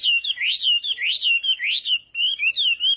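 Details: Chinese hwamei singing in a contest-style morning voice-training session: loud, clear whistled phrases sweeping up and down, repeated in quick rolling series with a short pause before softer ending notes.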